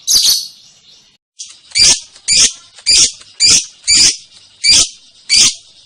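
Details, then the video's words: Lovebird ngekek song, an opening buzzy burst, a short pause, then harsh rasping chatter notes repeated almost twice a second. "Burung love bird ngekek panjang banget 3 menit"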